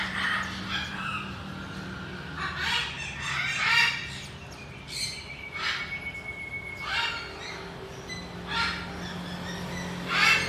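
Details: A pair of Chinese hwamei, one white and one mottled, give loud, harsh, bright bursts about every second or two, with a few clearer whistled notes, over a steady low hum.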